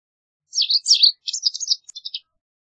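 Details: High twittering phrase from a white wagtail: a few slurred, scratchy chirps followed by a rapid string of shorter, fading tweets, lasting under two seconds.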